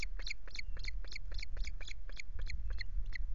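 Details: Osprey at a Loch Garten nest with chicks on 5 July, recorded by nest camera while the male brings two fish; steady repeated high chirps, about four per second, over a heavy low rumble.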